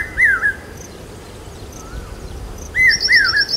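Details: Monsoon calls of a common hawk-cuckoo in Aurangabad, heard as a rain signal. Two shrill rising-falling three-note phrases, the second overlapped by another bird's rapid high-pitched trill.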